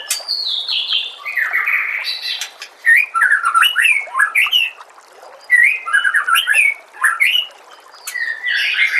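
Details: White-rumped shama, recorded as a tutoring track for caged birds: loud, rich, varied song of fluty whistles, slurred rising and falling notes and sharp ticks, delivered in bursts of about two seconds with short gaps.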